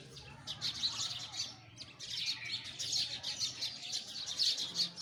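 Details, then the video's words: Sparrow chirps in rapid, overlapping high bursts after a quieter opening, steady twittering over a low background hum. "Listen the voice of sparrow"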